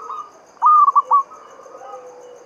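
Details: Javanese local zebra dove, Mataram-style song used to lure other doves into singing. One loud, abrupt three-note coo phrase stands out between soft trilling and a faint low coo, with steady high ticking throughout.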